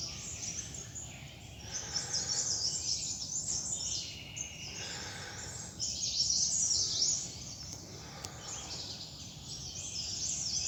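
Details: Wild forest birds chirping in December in the Mahabharata Range forest, Himalayan foothills of Nepal. A dense, high, shimmering chorus of overlapping twitters, with brief bursts of louder chirps around two, five and seven seconds over a low background rumble.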